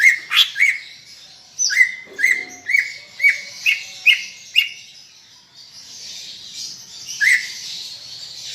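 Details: Greater green leafbird, called cucak ijo, in bold 'gacor' song for coaxing pet leafbirds to sing: a steady string of about ten sharp rising whistles at near-regular spacing, then quieter with one late note, amid background hiss.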